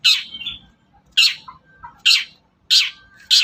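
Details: Long-tailed shrike giving a lure sound to rouse other shrikes: loud, harsh, rasping squawks repeated roughly every seven-tenths of a second, with softer slurred notes between them.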